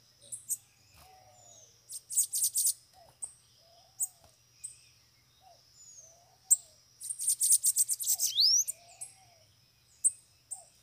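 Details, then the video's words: Several free bananaquits gathered near a caged bird sing high, thin buzzy trills in short bursts, one long chattering run near eight seconds, while lower arched whistled notes repeat in the background. "canpeada de sibite chegou varios sibite solto na gaiola"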